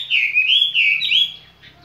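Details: Skylark kept in a cage, sounding a short, loud run of slurred, warbling high notes that rise and dip, then trail off into quiet, over a faint low hum.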